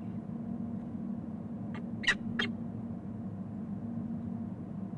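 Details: Peregrine falcon at a nest in Canton, Ohio, on 29 April 2014, as the resident male apparently meets a new hatchling, gives three brief, harsh, scratchy notes in quick succession over a steady low mechanical hum.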